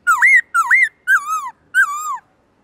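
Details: Black-throated laughingthrush singing forest-voice song to train other birds: two looping whistles that dip and rise, then two longer notes that jump up and glide slowly downward.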